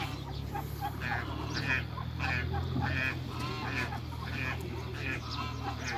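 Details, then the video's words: Hybrid Cayuga and mallard ducks meeting other ducks: a flock gives harsh, nasal quacks in quick overlapping bursts, roughly one or two a second, over a steady low mechanical hum. "MEETING HYBRID CAYUGA & MALLARD DUCKS"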